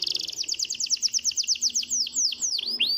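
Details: Canary song played to stimulate lazy canaries. A buzzy, rapid trill of repeated double notes is followed by a few slower, deep, dipping whistles.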